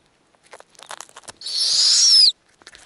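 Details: Snowy owl nest in the Arctic, with a female tearing food into small pieces for newly hatched young. Rustling and light ticks lead into one long, loud, hissing screech lasting nearly a second.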